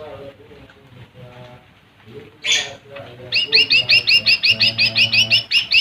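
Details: Song of a lesser green leafbird, used to rile rival birds: a sharp harsh note, then a steady run of about fifteen bright repeated chattering notes over a low warbling background.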